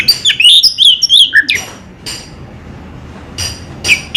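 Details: Anis merah, the orange-headed thrush, in Indonesia delivers a quick string of bright, looping whistles that rise and fall. A lower slurred note closes the phrase, then come a few sharp clicks and quiet pauses.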